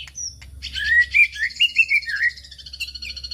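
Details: Lure song of a white-rumped shama: a brief high thin note, then a flowing series of rich, slurred whistles rising and falling, layered with higher twittering, ending in softer chatter over a low background hum.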